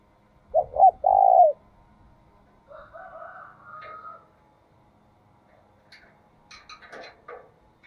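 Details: Decoy spotted dove giving one low, hollow double coo followed by a longer held note, then fainter, different calls and scattered chirps later on.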